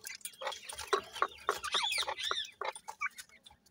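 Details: Playing grey partridge chicks, locally called teetar, give a loud, busy run of overlapping chirps and arched whistled peeps, several per second, then thinner, softer notes toward the end.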